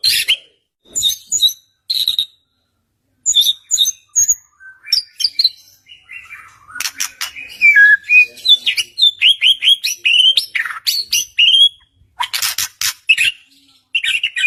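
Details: Lure song of a white-rumped shama, played to prompt a stalled bird to sing back: scattered high chips at first, then a dense stretch of twisting whistles and clicks building in the second half.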